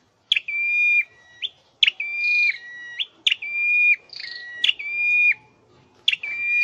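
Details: Scarlet-headed flowerpecker kept in a cage for song training gives a run of sharp-onset, level whistles, about one every 1.5 seconds, each holding steady then stepping down, with occasional buzzier overtones.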